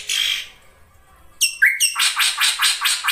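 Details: Ashy drongo song used as lure audio: a hissy burst, then a sharp whistled note followed by a rapid run of harsh, rasping chattering notes about five per second.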